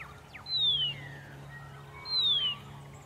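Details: Horsfield's bronze cuckoo singing in early-morning sun near Dayboro, SE Queensland, Australia, November 2021: two thin, high whistles, each sliding downward for about half a second, spaced roughly 1.6 seconds apart over a faint low hum.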